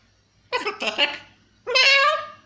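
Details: Pet blue-and-yellow macaw kept indoors, talking: two loud, harsh, speech-like bursts, the first broken into several syllables and the second a longer rasping phrase, in a small room.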